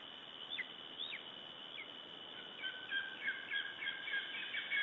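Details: Male lesser spotted eagle holding prey in Latvia on 25 July 2012 gives thin, high, down-slurred whistled calls, first spaced about half a second apart, then a quicker run of paired notes, over a steady high insect-like drone.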